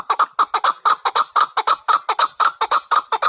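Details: Loud, steady chukar partridge calling, with paired, throaty chuk-chuk notes repeated about twice a second and no pause across the stretch.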